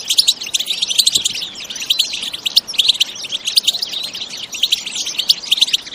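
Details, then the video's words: European goldfinch song in the lively bitbita style, natural with no added sound effects: a dense, continuous chorus of overlapping high twitters and liquid chirps, busy and unbroken throughout. "بتبتة حماسية🔥بدون مؤترات صوتية🎶 تغريد من الطبيعة 🌿"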